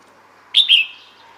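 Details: Female red-whiskered bulbul calling for males, giving a clipped whistled doublet, a sharp first note run straight into a second that slides gently downward and fades.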